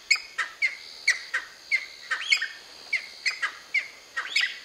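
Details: Cheer pheasants, a group of seven, at Nainital, giving a run of sharp, high chirping notes, about two or three a second, with a few rising, hooked squeals mixed in.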